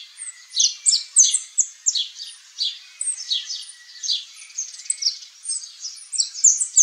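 A saffron finch sings a fast, continuous run of high, chirpy notes and short trills, about three phrases a second, with no other clear sounds.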